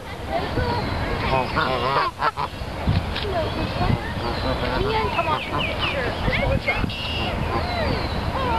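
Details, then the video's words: Dense, overlapping honking from a flock of wild geese at Dufferin Islands, Niagara Falls, runs without pause, harsh nasal calls layered over low rumble and faint human voices. "Husy / Geese"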